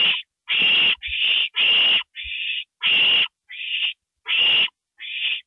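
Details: Owl at 2:05 AM on April 27, 2012, at a nest receiving a gopher: nine screeches in five seconds, loud rasping bursts alternating with quieter, smoother notes, plus a couple of low bumps.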